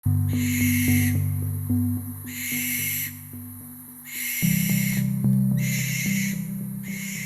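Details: A barn owl in an Australian forest at night gives harsh, hissing screeches, each about a second long and repeated roughly every second, over a low, sustained musical score.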